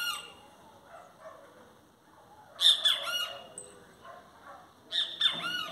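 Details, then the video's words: Great kiskadee sings two emphatic, raspy three-note phrases about two and a half seconds apart, each ending in a slurred note. Soft background calls and a faint high whistle occur between them. "Bem te vi cantando"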